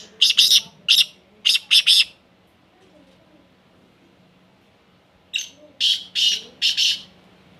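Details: Female black francolin calling, kept as a pet: two bursts of harsh, high, rapid notes, first a run of about five at the start, then after a pause of about three seconds another run of about five, with a faint low hum behind.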